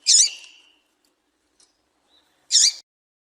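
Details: Female papa-capim seedeater call meant to stir up males: two sharp, high, slurred 'tui' notes about two and a half seconds apart, clean with almost no background.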